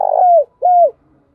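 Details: End of a spotted dove lure song in the thổ đồng voice: a rolling coo dropping in pitch, followed after a short gap by one smooth, falling final coo.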